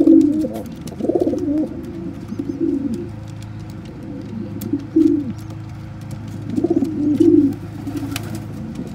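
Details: Kept pigeons, a parent feeding regurgitated crop milk and food to a tiny squab; low, rough, pulsing notes in uneven bursts, several louder clusters near the start and end, over a steady low hum.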